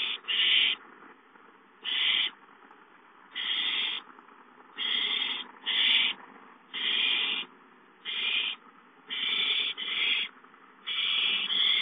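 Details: Owl at a nest on a live nest camera, with a gopher brought to the nest as prey. Harsh, hissing screeches in short bursts of about half a second repeat roughly every second and a half, some doubled, over a steady low background hum.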